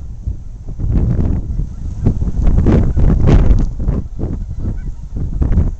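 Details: Canada geese on the Saskatchewan River at Saskatoon on a very windy day, recorded with a camcorder: short harsh honks come in irregular bursts, several per second at times, partly buried under strong low wind rumble.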